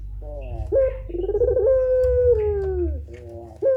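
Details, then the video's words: Long-drawn puter pelung turtle dove coo, recorded to train other birds: short rising notes lead into a drawn-out, smooth, slowly falling mid-pitched tone lasting well over a second, then a brief closing note, with low hum behind. "suara burung puter pelung gacor tak terbendung"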